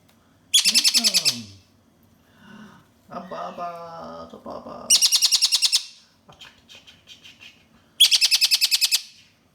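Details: Juvenile Malabar parakeets kept as pets indoors, called noisy: three loud bursts of rapid, harsh chattering notes, about a second each, separated by a woman's soft talk and quieter squeaks.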